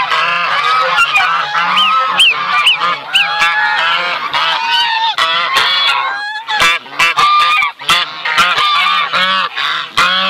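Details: Buff Sebastopol goose family with young: clear repeated rising whistled calls early on over honking chatter, then choppier bursts of honks separated by short quieter breaks in the latter half.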